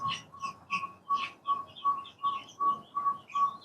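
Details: Partridge, known locally as puyuh gonggong, kept in an aviary: clear whistled notes at a steady pitch, repeated about three times per second in an even series, with higher scratchy chirps from other birds mixed in.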